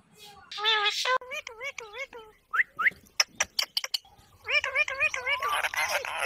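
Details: Talking Indian ringneck parrot: a run of wavering speech-like syllables, two short rising whistles, a burst of rapid clicks, then more fast nasal chatter.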